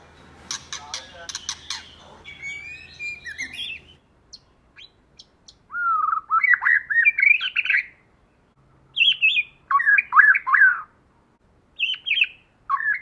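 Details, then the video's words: White-rumped shama, female and male, singing in the forest-voice style as a lure; sharp broadband clicks and pulses open, then rich whistled phrases rising and falling, some warbled and slurred, in bursts separated by short pauses. "Choè lửa hót giọng rừng."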